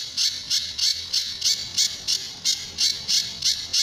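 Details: Tembakan and besetan song of a Sunda bush warbler, recorded as a master for teaching other birds: rasping high buzzes repeated steadily, roughly three each second.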